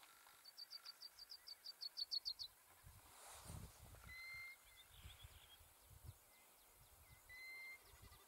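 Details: European golden plover calling in Iceland: plain, level whistled notes given singly every couple of seconds, after an opening rapid series of about a dozen sharp, high ticking notes, with a brief rustling thump in the middle.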